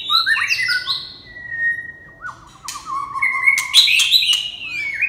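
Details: Red-whiskered bulbul pouring out bright, buzzy high whistles, then a long level note and a quick rattling warble, followed by louder slurred whistled phrases mixed with sharp knocking clicks.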